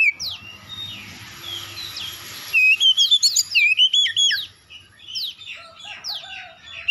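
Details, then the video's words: Magpie-robin singing as a lure to draw responses from other birds; a quiet hissy opening, then a loud fast run of warbled whistled notes, about four per second, followed by softer sweeping slurs. "DALAM HITUNGAN DETIK KACER LAIN LANGSUNG RESPON GACOR SEKALI PANCING"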